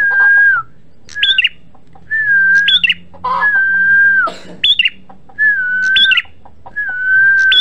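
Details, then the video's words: Red-headed prinia (prenjak merah), used as a lure recording, repeats a clear, level whistled phrase that flicks up sharply at the end, roughly every one and a half seconds, with faint background hum. "PRENJAK MERAH GACOR"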